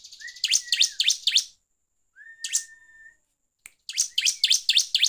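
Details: Gacor ngeplong singing of a bar-winged prinia, a lure to stir up other birds: brisk series of sharp high chirps over a steady whistled tone, a lone chirp with a longer whistle, then another quick chirp series.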